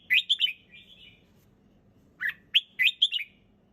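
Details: Red-whiskered bulbul singing calmly and clearly: a loud burst of three bright chirps trailing into soft warbling, a short silence, then another rapid chirpy phrase.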